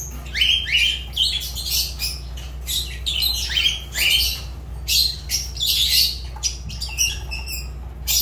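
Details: Shrill, piercing Fischer's lovebird calls come in rapid overlapping bursts of sharp rising chirps and scratchy squawks, nearly continuous across the stretch, with a constant low electrical-type hum beneath.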